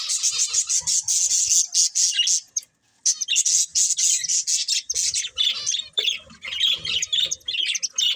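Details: Budgies from a breeding pair chattering loudly: continuous high, hissy, buzzy warbling broken by quick chirps, with one brief pause near the middle before the chatter resumes.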